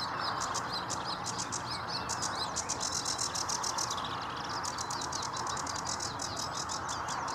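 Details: Sedge warbler singing at Vange Marsh RSPB: a fast, continuous chattering run of harsh, buzzy notes and short whistles, with rapid repeated ticking phrases, over a steady low background hum.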